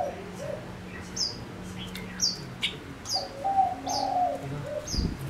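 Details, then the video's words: Male decoy Gouldian finch singing to draw in wild birds, giving sharp high falling chirps roughly every half second while soft low cooing notes run underneath. "Chim ngũ sắc mồi hót cực hay kích bổi nhanh nổi | chim ngũ sắc hót | ngũ sắc trống"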